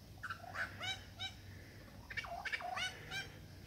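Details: Courting male superb lyrebird, Dandenongs, showing off mimicry to a female: a quick run of bright, ringing harmonic notes in uneven clusters, some sliding down, delivered in two bursts less than a second apart.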